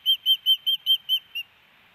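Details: At a Hellgate Canyon nest in Missoula, Montana, a female osprey calls for her mate, May 18, 2019, on a nest cam. She gives seven sharp, high whistled notes in quick rhythm, the last one softer and shorter.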